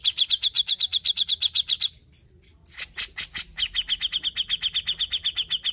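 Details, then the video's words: Grey-cheeked bulbul in vigorous song: a long, rhythmic stream of bright, high chip notes at about four per second, broken by a short silence and a few harsh rasping bursts, then resuming steadily. "Terapi Cucak Jenggot Gacor l Paling Ampuh Untuk Masteran & Pancing Bunyi"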